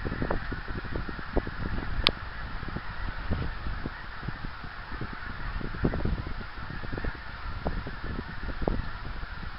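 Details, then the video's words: Honking of geese passing overhead in flight, 24 January 2010, with scattered low calls spread evenly through the recording, one sharp click early on, and a continuous hissing backdrop. "Geese in Flight"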